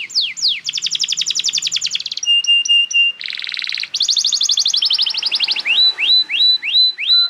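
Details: Canary singing intended to train young canaries and restart stalled singers: quick downward sweeps, a long buzzy trill, clipped high pips, a harsh rattling burst, another trill, then repeated upslurred whistles.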